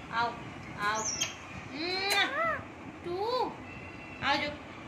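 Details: An Indian ringneck (rose-ringed) parakeet sitting on its owner's hand talks in a high, nasal, speech-like voice, giving five or six short rising and falling word-like bursts, about one a second, in a quiet room.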